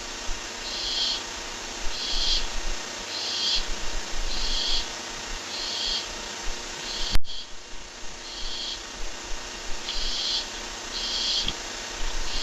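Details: Barn owl on a live camera as a rat is delivered: a steady series of harsh, breathy screeching hisses about once a second, broken midway by a sharp click.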